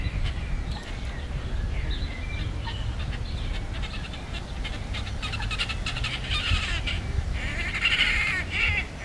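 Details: Great crested grebes (Podiceps cristatus) fighting, possibly territorial, give harsh, grating, crow-like calls in ragged bursts, growing louder toward the end, over a steady low rumble of wind or water.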